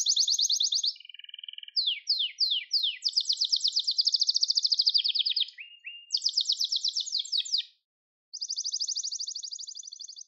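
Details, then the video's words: Gloster canary song used for training young birds: bright rapid trills alternating with lower short tours, a few descending sweeps, a fast rolling passage, then a steady buzzing trill after a short silence. "Gloster Kanarya Sesi Ve Ötüşü"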